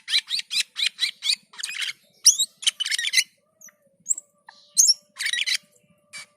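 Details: Black-and-white bulbul giving its gacor and teler song: a steady run of six or seven bright chirps, then jumbled squeaky phrases and a few isolated high notes.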